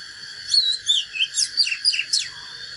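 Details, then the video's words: Fighting song of an Oriental magpie-robin: a quick run of clear whistles, slurred upward and downward notes, and sharp downward sweeps, about seven notes in under three seconds, over a constant high background hum. "KÍCH LỬA chòe than || Chích chòe than HÓT ĐẤU CHIM TỰ NHIÊN"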